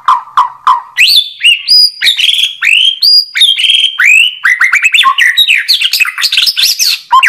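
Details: White-rumped shama (murai batu) singing clearly: quick run of repeated low whistled notes, then bright rising and falling whistles and fast chattering phrases over a quiet background.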